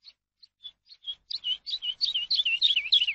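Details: Eurasian skylark song meant for training captive birds. Sparse single chirps build into a dense, accelerating string of sliding, warbled notes.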